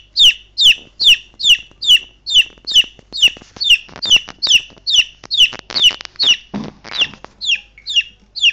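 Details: Three-week-old baby chickens (Gallus gallus domesticus) call to their owner, peeping loudly and steadily, about two high, downward-slurred peeps per second, with a brief rustle and clatter in the background.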